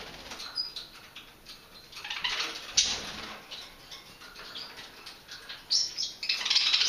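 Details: Budgerigars squabbling playfully over a dandelion leaf: short, scratchy chirps among bursts of fluttering wings, over a thin steady high whine.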